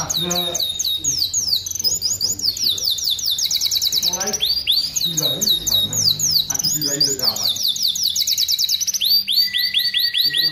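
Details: Vigorous aviary canary song used as master audio for training other canaries: dense runs of high, rapid, repeated trills and sweeping whistles, with lower harmonic chatter and other voices mixed in throughout.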